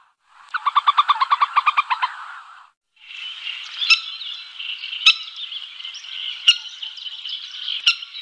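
Common moorhen: a quick stuttering run of about a dozen nasal clucks, then a long harsh, grating churr broken by a few sharp clicks.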